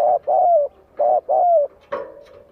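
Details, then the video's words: Spotted dove singing to provoke rival birds: loud, deep cooing notes near the same low pitch, two short coos then a longer drawn-out falling coo, repeated, with a final sustained note; quiet background. "Cu gáy kích bổi nghe tức sôi máu"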